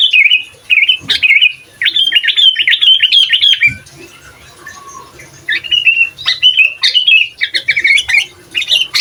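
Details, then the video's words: Sooty-headed bulbul singing gacor-style, a master recording meant to provoke other bulbuls; rapid chains of bright, warbled whistles rising and falling, delivered in long runs with a brief pause midway, loud and close. "Suara Asli Burung Kutilang Gacor Bikin Emosi Kutilang Lain, Cocok Untuk Masteran Kutilang Bahan"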